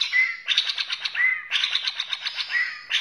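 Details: White-rumped shama from Borneo: a clear rising whistle alternating with loud buzzy, rattling bursts of rapid notes, the pattern repeating about every second, in a quiet setting.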